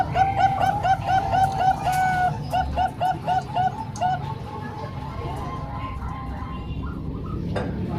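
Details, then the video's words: Mixed song of three Bangkok zebra doves and one local zebra dove: crisp, evenly spaced cooing notes repeat for about four seconds, then fade into softer scattered coos and background hum. "Kombinasi 3 Suara Perkutut Bangkok Dan 1 Lokal|Untuk Melatih Perkutut Bahan"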